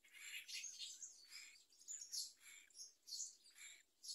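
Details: A myna chick gives harsh, raspy, high-pitched begging screeches in quick bursts, roughly two each second, as a parent brings a large blue caterpillar to its mouth.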